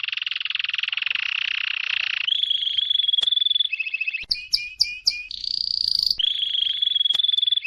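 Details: Canary delivering a training song: a dense, buzzy rolling trill, then a clear, level whistled trill, a short burst of swooping chirps, and a bright, rapid rattle. The bird is loud and close.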